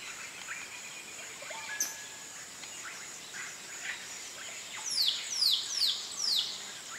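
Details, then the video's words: Pale-eyed blackbird near Atalaya, Peru: after a few faint notes, a run of four loud, clear, downward-sliding whistles about half a second apart, over a steady high insect drone and scattered soft chirps from other birds. "Pale-eyed Blackbird"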